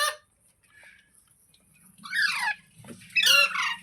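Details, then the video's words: Green parrot, described as talking: after a near-silent start over a faint low hum, two loud harsh squawks about a second apart, grating and rich in overtones, with a soft background murmur. "Green Parrot Talking | Funny Parrot Sounds Videos | मिट्ठू की आवाज़ | तोते की आवाज़"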